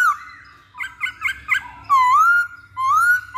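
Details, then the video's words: Masked laughingthrush lure song: a descending whistle, four short bubbling chirps, then two long, loud whistles that dip and rise again. There is little background noise. "Pancingan Poksay Hongkong"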